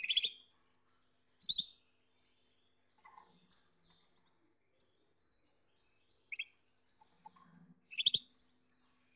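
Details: Male Gloster canary together with a female, giving scattered high whistled phrases and quick trills between quiet gaps, broken by sharp loud clicks and knocks, likely perch or cage movement.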